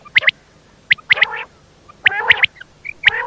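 A female quail gives sharp, clipped notes in pairs and triplets, each burst about a second apart, in a quiet setting.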